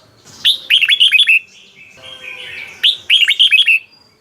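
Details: A caged red-whiskered bulbul from Thailand gives beun-style song that keepers play to excite their birds: two lively phrases of about six chirpy, down-slurred whistles, roughly two and a half seconds apart, with soft warbling between them.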